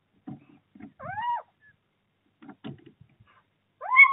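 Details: Little owls at a prey transfer early in the 2024 breeding season, Bommelerwaard, 4 March: arched, mewing calls that rise and fall, one early and one at the end, with soft low fluttering and rustling sounds in between.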